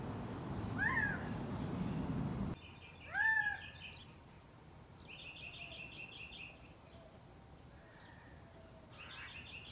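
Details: Gambel's quail walking and calling in Scottsdale, Arizona: two arched, nasal, meow-like calls early on, while other birds give rapid buzzy trills in the background over a steady outdoor hum.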